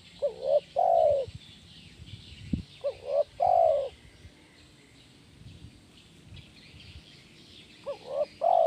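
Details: A spotted dove sings the "kuk 1" gacor style, used for training doves. Two cooing phrases of double short notes and a long coo, one brief knock near the middle, a quiet gap, then a third phrase.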